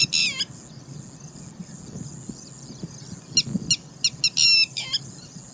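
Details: Angry red-wattled lapwing giving alarm calls: a short sharp burst of piercing, descending notes at the start, then scattered strident notes and a clustered run near the end over a steady high hiss.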